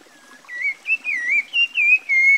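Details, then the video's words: A Rufous-bellied Thrush (Turdus rufiventris, sabiá-laranjeira), a popular Brazilian bird, sings a clear, fluty phrase of six or so warbled whistles, rising and falling, in quick succession over a quiet background. "CANTOS De 5 Espécies De SABIÁS"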